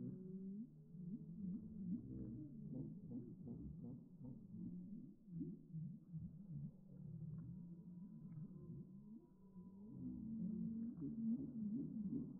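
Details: Heritage turkeys from a homestead flock on raw land, slowed down in slow motion so they sound like whale calls: deep, wavering, moaning tones overlapping in a continuous low chorus, with a faint steady hum in the background.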